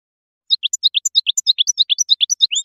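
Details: High, sweet goldfinch notes in paired phrases, each bright chirp followed by a lower twist, repeated briskly about seven times a second in a steady rhythm, with no background noise.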